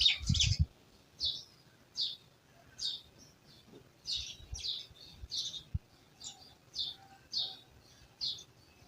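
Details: Village birds chirping, with evenly spaced high chirps about every half second after a few low thumping knocks at the start.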